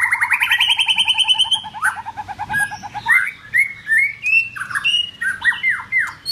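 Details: White-rumped shama song during form building: a long rising series of rapid buzzy harmonic notes, then varied loud whistled phrases and downslurred notes with short pauses.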